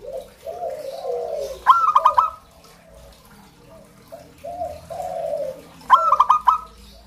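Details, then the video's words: Local zebra dove alternating low, throaty cooing phrases with short, sharp bursts of quick clicking notes, twice over. "Terapi suara perkutut lokal"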